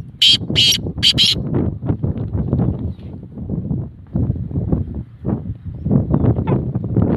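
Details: Three rapid, harsh, scratchy notes from a black francolin open the recording, followed by several seconds of low rustling and thumping background noise.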